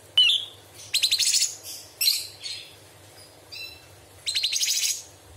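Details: Straw-headed bulbul singing tembakan phrases filled with mimicked small birds, big birds and insects: a sharp opening whistle, rapid high rattling trills, scattered softer notes between.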